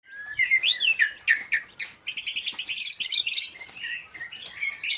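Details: Aceh Leuser white-rumped shama, a caged bird from a bird farm in Aceh, Indonesia, kept for breeding and song contests: rich, loud song of swooping whistles, rapid chattering trills and sharp high notes, delivered in quick phrases.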